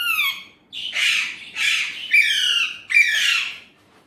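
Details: Talking Indian ringneck parrot producing Urdu/Hindi speech: a falling whistled opening, then four rasping, voice-like syllables in quick succession, some with bright squeaky onsets.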